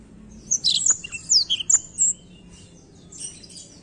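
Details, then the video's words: Black-throat singing a brisk, high-pitched phrase of twittering notes and sharp descending slurs, lasting about a second and a half, then near-silence broken by soft distant twitters. "a bela canção do pássaro blackthoat"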